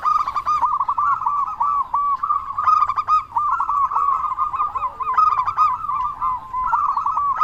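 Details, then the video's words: Local Indonesian zebra dove, a frequent singer with a big voice, used to prompt other doves to sing: dense, continuous mid-pitched cooing trills with little pause, possibly overlapping voices, over low background hum. "Perkutut Lokal Gacor Suara Besar Pancingan Burung Perkutut Agar Cepat Bunyi"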